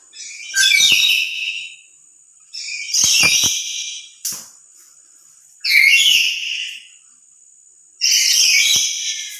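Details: Loud emotional calls of a lory alone, louder than when with other lories: four rasping screeches about every two and a half seconds, with a faint steady high whine in the background.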